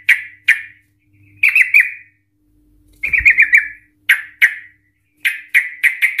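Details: Sooty-headed Bulbul (Trucukan) in full agitated song, used as a lure so other Trucukan answer with 'ropel' trills: sharp separate chirps, short fast rattling phrases near four seconds and a closing run of quick notes, with a low thump and faint hum.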